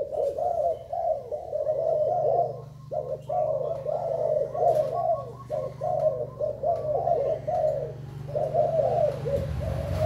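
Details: Zebra dove of Thai stock singing, 19 April 2019: rolling bursts of quick, low, stuttering coos in short phrases separated by brief pauses, about seven phrases, over a low background hum.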